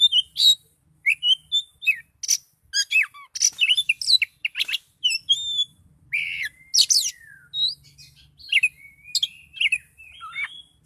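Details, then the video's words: Highly agitated Oriental magpie-robin in full song, pouring out rapid varied phrases of piercing whistles, downslurred notes and harsh chirps with barely a pause, including a long sliding whistle partway through. "Kacer Gacor Kicau Door Lanjut Emosi Tingkat Tinggi"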